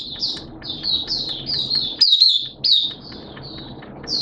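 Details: Caged Oriental white-eye (Mata Puteh) in 'buka sing' opening song on 11 September 2022 in wet, erratic weather: a fast string of high slurred chirps, about two per second, with one louder sharp note and a short silence.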